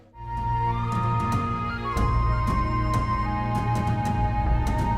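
Steady instrumental music with sustained tones and rhythmic percussive hits, and no animal sounds.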